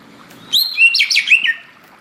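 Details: Greater green leafbird singing in a tropical forest setting, one brief rich phrase of quick rising and falling whistled notes lasting about a second, over faint background hiss.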